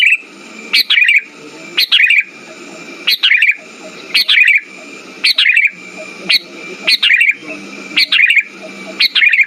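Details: Sooty-headed bulbul song played to coax silent birds into singing: bright, rolling whistled phrases, each ending in a downward flourish, repeated about once a second with a faint continuous tone and low hum beneath.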